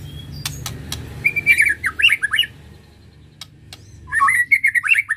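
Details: White-rumped shama song used to stir emotion: two bursts of rapid, buzzy-edged whistled notes, the second after a pause of about two seconds, with a few sharp clicks earlier and a faint low hum.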